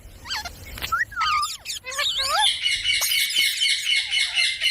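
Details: Parrot imitating human speech, starting with bent, wavering voice-like syllables and sharp squawks, then a sustained harsh, buzzy chatter that continues to the end.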